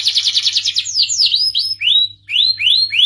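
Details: An excited canary singing, played to encourage males to mate and sing. A fast buzzy trill runs into several sweeping whistles and then a series of rising, upslurred notes. A faint low hum sits in the background.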